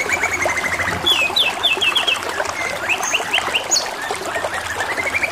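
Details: Canary (kenari) singing over the steady rush of trickling water; fast rolling trills and rapid repeated notes, with bright whistled slurs and quick upward sweeps.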